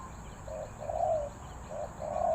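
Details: Spotted dove in the three-coo style, Ninh Thuận, Vietnam: two hoarse, muffled coo pairs, each a short note before a longer one, heard under steady background hiss.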